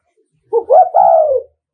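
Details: Spotted dove from Nghệ An, a decoy bird, giving a 'thúc gù' coo meant to provoke and lure rival males: one low, mellow phrase of two short rising notes running into a longer, smooth, slowly falling coo.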